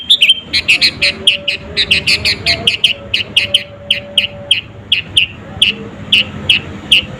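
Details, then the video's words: Sooty-headed bulbul in full energetic voice, natural with no added songs, meant to provoke rivals; rapid, slightly irregular chattering series of sharp high chirps with faint low background rumble. "SUARA BURUNG KUTILANG GACOR ASLI TAMPA ISIAN..,!!!pancinga kutilang bikin lawan emosi..."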